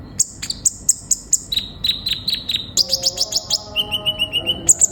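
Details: ['Lively sunbird song of rapidly changing high chirps, buzzy trills and a steady run of lower repeated tweets, with faint lower tonal notes in the background.']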